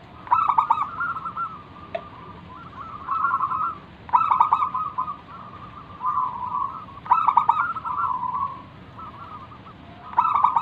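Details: Local zebra dove singing as a lure to get other doves to call: loud stuttered coo bursts roughly every three seconds, each followed by rolling, purring trills, with softer cooing and a faint click between.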